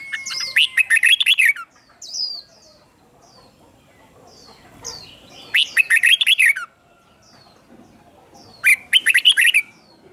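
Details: Red-whiskered bulbul song for young birds to learn and copy: three bursts of fast, lively chattering whistles spaced several seconds apart, with thin high descending notes in the gaps.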